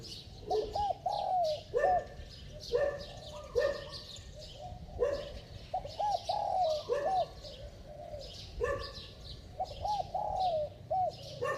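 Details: Repeated cooing phrases of a spotted dove: low arched hoots and drawn-out falling coos delivered in steady bursts every second or so, with scattered high chirps of other birds behind.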